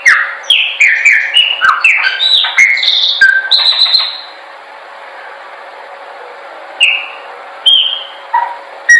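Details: Training song of a Chopi blackbird, a quick run of ringing whistles and downslurred notes for four seconds, followed by quiet hiss and a few isolated whistled notes near the end.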